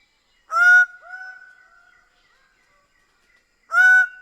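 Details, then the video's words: Two loud, harsh, honking calls from a Greater bird-of-paradise about three seconds apart, the first trailing into a softer, drawn-out tone. "Greater bird of paradise sound"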